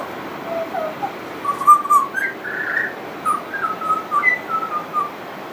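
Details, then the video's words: Sweet piping song of a pied butcherbird with mimicry: a soft opening, then a burst of richer warbled whistles and a string of level notes rising near the end. "Pied Butcherbird wouldn't shut up"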